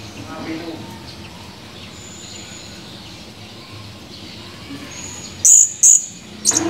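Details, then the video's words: Male blue-crowned hanging parrot in full voice, recorded 17 July 2020. A long stretch of low background hum breaks into two sharp, piercing high chirps half a second apart, then a brief clipped chirp at the end. "Burung Serindit gacor, tinggal kenangan // Serindit birds chirping, only memories"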